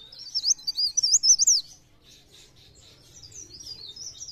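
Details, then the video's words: Mountain leaf warbler in chatty song meant as a lure: a loud, quick run of squeaky, looping high notes for about a second and a half, followed by faint, scattered twitters. "Cikrak daun | pre pare | blereng gacor untuk pancingan bunyi"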